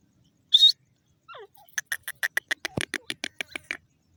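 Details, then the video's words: Sindhi teetar, the grey francolin: a sharp high note and a short downward slur, then a fast run of rasping pulses, about four per second, fading slightly toward the end. "sindhi teeter ki awaz,gray francolin bird sound"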